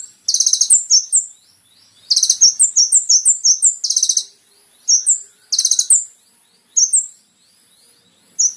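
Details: Brown-throated sunbird (kolibri ninja) song on a training recording for caged birds: very high, bright chattering bursts of rapid buzzy notes alternating with short clear descending chips, delivered in phrases roughly every two seconds, with no background noise.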